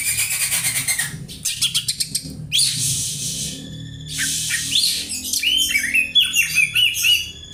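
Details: Oriental magpie-robin imitating house sparrow, as tutoring material: loud, rapid chirp trains and harsh, noisy bursts, closing with a run of bright, varied, whistled warbling.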